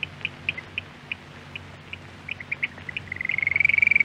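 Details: Eurasian oystercatcher from a Norwegian radio archive: scattered faint shrill piping notes over background hiss, then a fast, steadily louder trill of piping notes in the last second.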